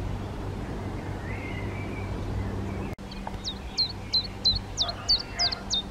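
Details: Black redstart, a darker male and a paler female feeding fledglings that have already left the nest: after a low rumbling hum, a quick series of about eight sharp, high, down-hooked notes repeated roughly three per second.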